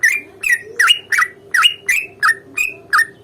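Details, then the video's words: Sooty-headed bulbul fighting song, used as bait to get birds calling; nine separate throaty bubbly notes, each swooping up then down, spaced roughly every third of a second, with a faint low hum behind. "trucukan gacor tarung ROPEL PANJANG pancingan trucukan agar bunyi"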